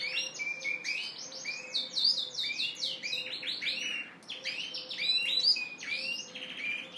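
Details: Yorkshire canary cock singing to attract the hen. Bright, rapid phrases of slurred rising notes, rolling trills and sharp high chips flow continuously, with a faint steady tone behind.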